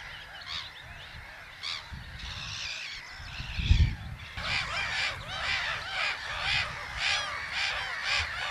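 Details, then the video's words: Black-headed gulls calling at Haaksbergerveen, Twente, Netherlands: a dense chorus of harsh, arched, nasal calls overlapping rapidly, roughly one per second, with a loud low thump near the middle. "Kokmeeuw - Larus ridibundus - Black headed gull - Lachmöwe"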